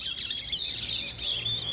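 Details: Two-month-old chestnut-bellied seed finch chick, kept caged, practising its song: a run of thin, high warbled and twittering notes, fast and rambling, with a faint low hum beneath.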